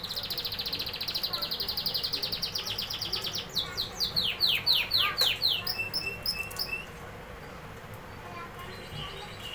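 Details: Canary song opening with a long fast trill of identical notes, moving into slower, louder descending sweeps, then softer scattered high notes fading away.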